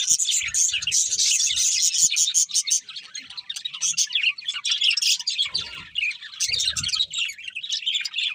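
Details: Happy budgies singing during feeding: rapid, uneven bursts of bright twittering and squeaky chirps, dense at first and then more broken, with scattered low thumps underneath.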